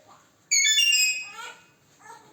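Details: Parrot, locally called Kashmiri ra, using its voice: one loud, harsh, rich-toned utterance lasting about a second, then a softer, lower trailing sound.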